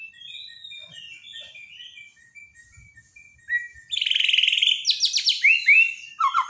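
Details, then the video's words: Borneo white-rumped shama singing in a daily training recording for shamas that have gone silent: soft thin notes first, then a loud buzzy note, sweeping high whistles and downward-slurred phrases in quick succession. "borneo dokter burung murai mandek (Masteran harian)"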